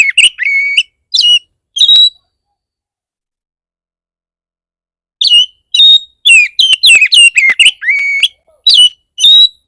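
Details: 'Bar bar' style Oriental magpie-robin lure meant to trigger other magpie-robins to sing: a few strong slurred whistles, a silence of about three seconds, then a dense burst of rapid, varied whistled notes.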